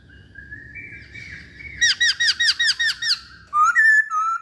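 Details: Chinese hwamei song: a quiet thin whistle, then eight loud, evenly spaced, down-slurred notes, followed by strong, clear, rising-and-falling whistles.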